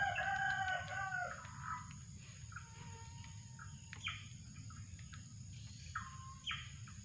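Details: Drongo call sequence for luring birds, opening with a loud cluster of layered whistled notes, then scattered short harsh and whistled notes against steady low background noise and a continuous high-pitched insect drone.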